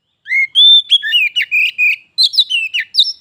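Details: A caged pet Oriental magpie-robin and a wild visitor competing in song: clear, loud whistled notes, one rising and one long flat, followed by a quick run of varied twittering whistles.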